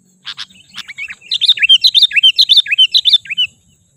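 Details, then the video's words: Sooty-headed bulbul lure call for attracting wild birds: a few soft opening chirps lead into a steady two-second stream of bright, bouncing notes that rise and fall. "Suara Pikat Kutilang Ampuh 100% Bikin kutilang liar emosi"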